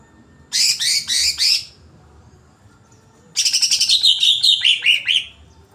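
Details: Greater green leafbird in an agitated state, giving two bursts of harsh, rapidly repeated buzzy notes, the second longer and ending in descending whistled slurs.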